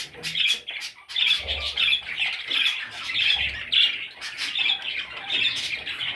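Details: Baby parrot chicks giving a dense stream of harsh, raspy squawks and chirrups, overlapping and near-continuous, with a few soft low thumps underneath.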